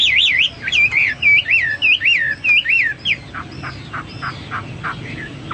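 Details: Hwamei singing vigorously: loud, rolling whistled notes that swoop up and down, repeated about twice a second, then softer, thinner downslurred notes, over a light low hum.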